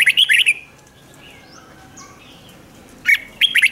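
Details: Red-whiskered bulbul singing rik style, recording meant to rouse caged birds: a fast, bright chattering phrase at the start and another near the end, separated by soft faint whistles.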